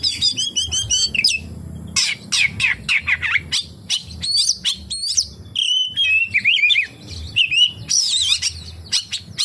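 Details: Oriental magpie-robin performing song full of kapas tembak imitations, a long run of rapid trills, sweeping whistles, falling slurs and scratchy chips delivered almost without pause, a faint hum underneath.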